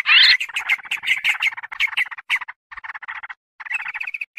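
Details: Sooty-headed bulbul calling as a lure for wild birds: a loud scratchy burst followed by rapid chattering notes that grow softer, with a short whistled ending.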